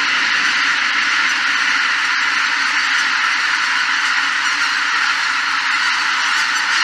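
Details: A huge flock of greater white-fronted geese taking off at Shishibana, Izunuma, Japan, on 3 November 2023, calls all at once: a dense, unbroken roar of high yelping honks that never pauses.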